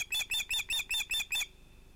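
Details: Evening osprey fish delivery at sunset at a nest holding two ringed chicks, 11 August 2018: seven loud, harsh whistled yelps spaced about a fifth of a second apart, then quiet.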